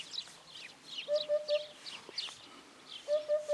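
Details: Eurasian hoopoe giving its courtship song, soft, low, hollow triple hoots, 'oop-oop-oop', in two evenly spaced bursts, while other small birds chirp and twitter higher up.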